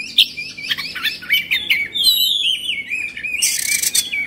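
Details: Oriental magpie-robin, agitated and fluffing its tail, singing a continuous jumble of rapid warbled whistles and chattering notes, ending in a harsh, hissing burst.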